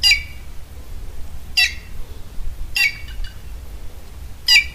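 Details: A Red-cowled Cardinal, common in the Caatinga of Alagoas, Brazil, gives four short, harsh, bright notes at uneven intervals of one to two seconds, over a low background rumble.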